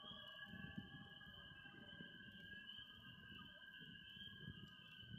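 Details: A loon at a Vermont campsite gives long, steady, mournful tones, held evenly with only slight shifts in pitch, over the soft popping and crackling of a campfire.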